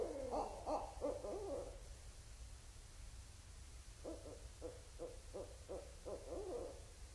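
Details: Barred Owls vocalizing at Indian Cave, autumn 2012: a loud cluster of arched hoots, a quiet gap of about two seconds, then a softer series of about eight evenly spaced hoots, over low rumbling background noise.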